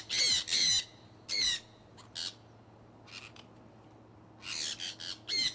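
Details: Conures from a pet flock flying in Iowa in early spring 2003: paired harsh screeches, a quieter middle with faint calls, then a loud burst of squawking near the end.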